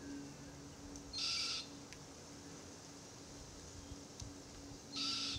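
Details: Immature Forest Red-tailed Black-Cockatoo perched in a Marri tree near its feeding parents, giving two harsh, rasping, buzzy screeches about four seconds apart over a quiet background.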